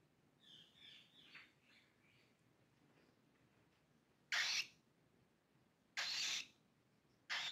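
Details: A cockatiel chick being hand-tamed gives a few soft chirps, then loud, harsh, hissing screeches about every second and a half.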